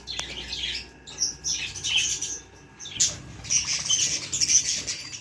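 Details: Young pet budgerigars chattering in high, scratchy chirps and short squeaks, with bursts of calls separated by brief pauses.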